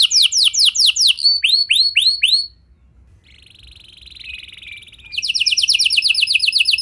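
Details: Canary song played to make other canaries sing: fast sweeping trill notes and curved whistles, then a faint thin buzzy passage before a loud rapid trill returns.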